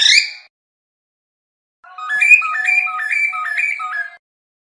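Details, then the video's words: A brief bright whistle, then a long, even run of alternating low and high whistled tones repeated in regular steps by a cockatiel. "تغريد طائر الكروان أو الكوكتيل"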